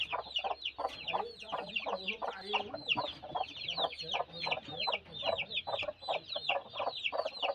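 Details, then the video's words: Broody chicken clucking steadily and continuously, clipped nasal notes packed closely in an unbroken stream, each with a thin, bright edge. "Canto da Galinha choca"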